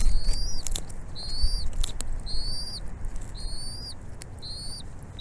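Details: Mother bald eagle feeding her chicks at the nest; five thin, high whistled notes with a slight upward then downward bend, spaced about a second apart, over a soft windy background with a few brief clicks.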